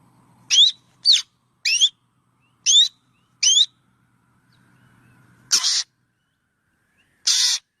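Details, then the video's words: Black drongo producing five crisp rising whistled notes in quick succession, followed after a pause by two harsh, raspy bursts; a faint low hum sits underneath. "Suab noog quaj suab ntseg ntshauv .tiếng chim chèo bẻo kêu chuẩn"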